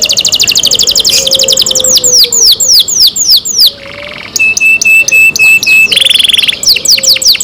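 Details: Captive canary in varied song: rapid rolling trills give way to repeated downslurred whistles, a brief buzzy burst, a long steady high whistle, then a harsh buzzy phrase and more sweeping notes.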